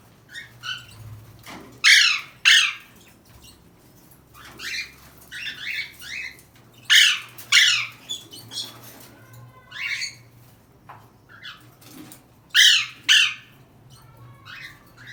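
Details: Harsh paired squawks from an Alexandrine parakeet trying to escape, repeated every few seconds, with fainter chatter and scratchy notes between the loud bursts.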